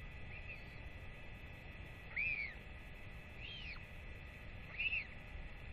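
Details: Royal albatross parents come home to feed their chick, which left its nest in early July; four thin arched whistles, rising then falling, spaced irregularly over about six seconds against a steady low background rumble.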